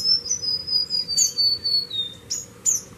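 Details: White-rimmed Warbler singing a fast, thin trill of high whistled notes that drift lower in pitch across about two seconds. The trill ends with a couple of sharp, piercing chips.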